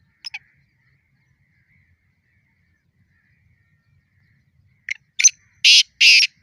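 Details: Black francolin challenge call during a fight: after a long quiet stretch with a couple of faint clicks, one phrase arrives near the end. It starts with sharp short notes and builds into two loud, harsh, rasping bursts.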